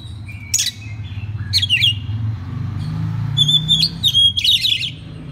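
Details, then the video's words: Oriental magpie-robin master song for training other magpie-robins: sharp clipped chirps and short whistles in separate bursts, ending in a quick jumbled phrase, over a low rumbling hum. "isian master kacer. suara kacer"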